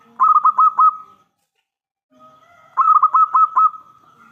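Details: Strongly singing local Zebra Dove with a big, clear voice, used as a lure to prompt other doves to reply. Two bursts of quick, stuttering coos on one even pitch, separated by a short pause and a faint sustained tone.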